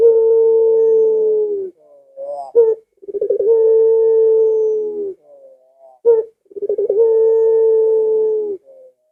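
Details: Repeated call of a Barbary dove, meant to draw pet doves into answering: three long, level, hollow coos, each opening with a quick rolling flutter and separated by brief clipped notes, roughly every three seconds.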